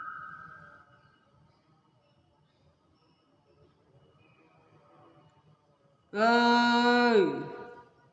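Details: Pet hill myna, a bird said to cough and to answer when called, gives one loud nasal, harmonic-rich call lasting about a second after a long quiet stretch with faint room noise and an earlier short whistle.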